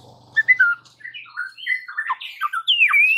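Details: White-rumped shama song to provoke rivals: a tumbling sequence of varied whistled and slurred notes ending in a long descending then rising whistle, faint low hum at the start.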